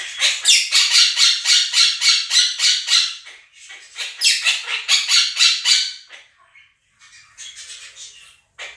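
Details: Two pet Quaker parrots indoors screaming over a played recording of a budgie flock: rapid harsh, buzzy squawks repeated about four times a second in loud bursts, briefly pausing, then resuming, with fainter chatter near the end.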